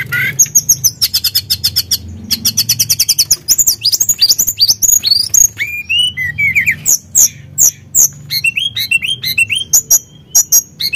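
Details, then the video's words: Energetic tledekan gunung, a Sunda blue robin, singing as a provoking lure: fast runs of sharp ticking notes, then a varied chatter of high slurred whistles, swoops and rapid trills that continues without a pause. "Pancingan Emosi Burung Tledekan Gunung Gacor"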